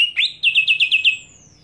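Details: Greater green leafbird scream provoking other leafbirds: a rising note, then six quick evenly spaced sharp chirps, ending in a thin fading high whistle.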